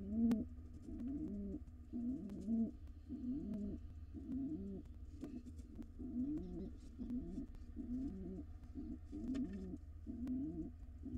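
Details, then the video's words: Long sequence of rolling, throaty coos from a courting wild pigeon pair at a nest box, roughly ten rapid phrases with brief pauses, over constant low hum and light tapping. "Pigeon pair court each other."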